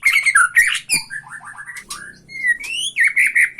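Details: Borneo white-rumped shama in tretekan mode, goading a rival bird: loud slurred whistles and squawky notes alternate with clipped chattering runs, ending in a long rising whistle that breaks into rapid warbles.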